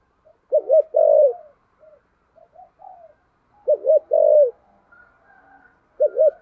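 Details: Spotted dove giving thúc gù cooing in the deep thổ sấm voice style. Three low phrases, each a stuttered double note leading into a held coo. Scattered soft notes fall between phrases, and the last phrase is cut off.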